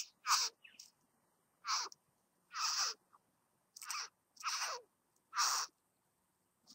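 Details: A satin bowerbird visiting a bower gives six harsh, hissing rasps, each about half a second long, spaced a second or so apart, with a few softer notes between.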